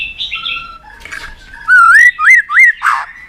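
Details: Shama (white-rumped shama) sounds used to spur a competing bird into song: a soft buzzy note, then three loud, clear, upward-curving whistles in quick succession, followed by a short rough note.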